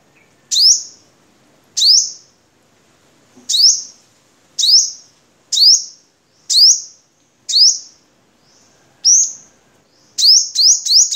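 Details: Vietnamese crimson sunbird, recording meant for training cage birds: high, piercing upswept notes at uneven intervals of about a second, ending in a quick triple burst.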